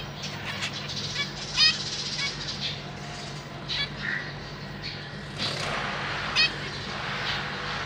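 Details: Caged zebra finches, a parent pair with three juveniles and three newly fledged chicks, recorded 31 March 2023 while the parents fed their young; short nasal harmonic calls at scattered moments over a steady low mechanical hum.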